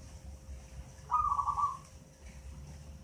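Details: Young local zebra dove aged eight months, found in a nest in a mango tree, giving a single short burbling, trilled coo of under a second against a quiet humming background.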